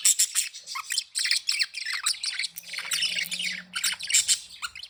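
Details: Budgerigar warbling continuously while happy and playing: rapid chattering, squawky and chirpy notes tumbling over each other in dense high-pitched phrases, with a brief low droning tone midway.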